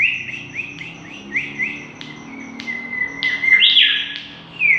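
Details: Energetic mangrove whistler song for luring: a series of short rising whistled notes repeated quickly, then a long steady whistle and a loud rich upward phrase, with occasional clicks.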